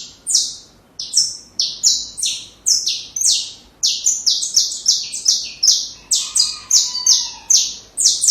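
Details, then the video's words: Saffron finch delivering a song for young birds to learn: a long, lively series of loud, buzzy, high-pitched notes, each sliding downward, repeated rapidly in irregular doublets and triplets for about eight seconds, with a faint lower whistle midway. "Canário da Terra Canto Perfeito Para filhotes"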